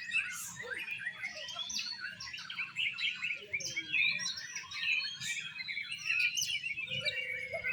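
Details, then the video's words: Oriental magpie-robins performing in a songbird singing competition, showing an exotic style: dense, overlapping chatter of rapid whistled and scratchy notes, with brief rising and falling phrases throughout and a low hum underneath. "LOMBA BURUNG KICAU KACER -KACER TAMPIL GAYA EXOTIS"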